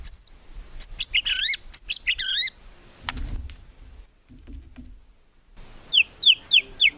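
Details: White-rumped shama singing vigorously, a full rapid-fire style with no gurgling notes, used to train songbirds: looping high whistles and sharp rising notes, a pause with faint low rumbles, then quick downslurred whistled notes repeated.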